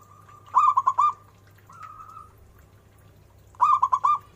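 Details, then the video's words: Zebra dove: a run of four rapid cooing notes, a soft drawn-out trill, then another four-note burst, mellow and evenly pitched, with low background hum. "Suara burung perkutut"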